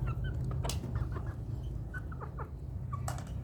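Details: Young village chickens, two months and three weeks old, give a few short chirps and warbling notes in irregular bursts, broken by sharp clicks and knocks against a low background rumble.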